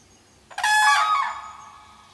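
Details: Common crane calling loudly in the early morning, about 7 am, after landing right behind a garden fence; a single powerful, rich trumpeting note that swells quickly, briefly holds, then fades, over a quiet background.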